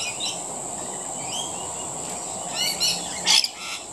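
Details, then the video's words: Feeding rainbow lorikeets make brief high screeches and rising chirps, ending in one sharp harsh squawk, all over a constant high-pitched background hiss. "Rainbow Lorikeets Feeding"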